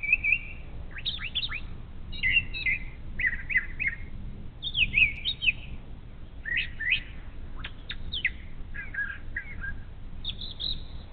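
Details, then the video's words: A brown thrasher sings in the morning near a bald eagle nest camera on Ohio's Little Miami River, giving a long run of varied, rich phrases, some given twice, with short pauses between them over a low background rumble. "Brown Thrasher Serenade"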